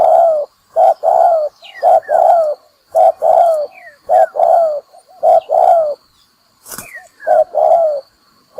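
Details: Lure recording of a spotted dove for bird trapping, rhythmic low hooting coos in twos, a clipped note followed by a longer falling one, about once a second, with faint high chirps and a click.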